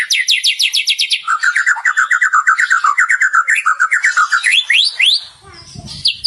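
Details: White-rumped shama singing hard with borrowed material: a fast run of upswept high notes, then a long rapid series of about four chirps per second that rises and ends in ascending whistled slurs.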